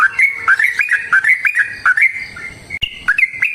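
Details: A sooty-headed bulbul sings a long, rapid, combative song meant to provoke replies from other bulbuls: a bubbly run of rising and falling whistled notes, tightly linked, with a brief click near the end.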